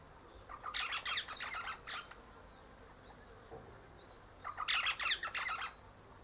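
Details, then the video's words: Eastern rosella perched up high in a hedge one morning while its mate sits in a nearby pecan tree, giving two bursts of scratchy, fast chattering about four seconds apart, with faint thin whistles between. "Eastern Rosella Parrot Chatting"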